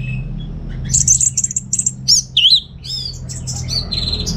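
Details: Caged orange-headed thrush in North Bali singing rapid high chips and trills followed by loud looping whistled slurs and a sustained buzzy phrase; faint hum behind.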